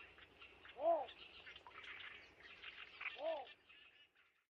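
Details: Summer-visiting Von Schrenck's bittern of Korean and Japanese wet paddies and riverbanks, among reeds and cattails. Two hollow, rounded, arching notes about two and a half seconds apart stand out over a murmur of higher background chatter.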